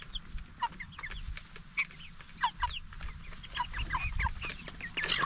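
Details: Jumbo Cornish Cross meat broilers aged 44 days keep up an irregular stream of short slurred peeps from many birds, some sharper notes near the end, over a low background drone.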